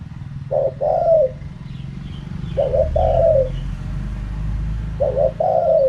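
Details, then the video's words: Spotted dove giving its 'kharom pa' wild-style coo: three evenly spaced phrases about two seconds apart, each a quick double note and a longer descending croon, with low engine-like rumble underneath. "เสียงนกเขาใหญ่ คารมป่า 100"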